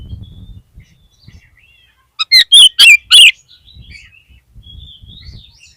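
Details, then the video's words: Oriental magpie-robin (kacer) song used to stir a caged bird whose spirits have dropped into singing: a burst of four loud, harsh, rapid chattering notes amid faint thin whistles and low background rumble. "PANCINGAN KACER PALING AMPUH UNTUK MENAIKAN MENTAL KACER YANG DROP !!!!"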